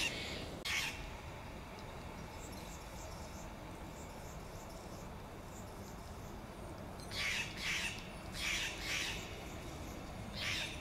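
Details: Steller's jays calling to keep contact in a Monterey pine forest in Del Monte Forest: one isolated rasping note, a long quiet gap, then a loose cluster of four harsh squawks and a final call.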